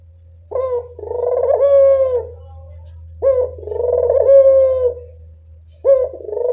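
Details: Dusk calling of a Barbary dove, used to stimulate doves that seldom call: a short note then a long, rolling, slightly rising coo, repeated about every two and a half seconds, with a steady deep hum underneath.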